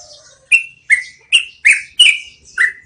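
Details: Yellow-vented bulbul, a long rolling song used to train cage birds, heard here as six separate loud whistled notes, each sharply struck then sliding downward, spaced about a third of a second apart.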